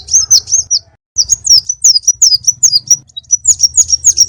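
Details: Konin bird master song for caged birds and trapping lure, full repertoire. High, bright chirps with wavering downward slurs, a brief pause, then a rapid even series of sharp tweets over a low hum.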